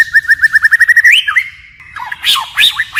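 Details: White-rumped shama in forest-style song, varying its voice continuously: a rapid train of even whistled notes speeding up, a rising slur, a held tone, then sharp downslurred chirps.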